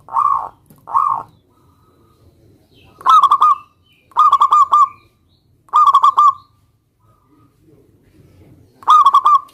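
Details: Local Indonesian zebra dove in full song, calling a rival to make other doves answer: two short hollow coos, then four rolling, pulsed cooing phrases with a stuttering, bubbling texture, spaced a second or more apart, over a quiet background.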